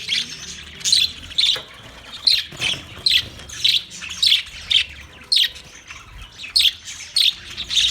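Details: Budgerigars, 9 March 2024, squawking in harsh, grating chirps repeated roughly twice a second in an uneven, chattering run.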